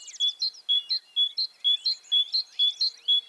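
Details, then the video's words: Tit giving a clear, high two-note phrase, a bright whistle then a slightly higher note, repeated about twice a second in a steady, even rhythm, with no other sounds. "ЗВУК СИНИЦІ | Який звук видає синичка"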